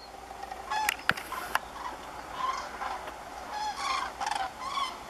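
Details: A flock of common cranes (Grus grus) on autumn migration gives loud, rolling, trumpeting flight calls overhead in the morning, flying to cornfields; calls overlap in bursts every second or so, with a couple of sharp clicks in the background.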